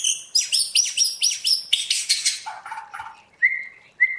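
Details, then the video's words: White-rumped shama in trained forest-voice song: a quick run of repeated high swooping notes, a lower slurred phrase, then two crisp short whistles about half a second apart. "Luyện choè lửa hót theo giọng rừng hay"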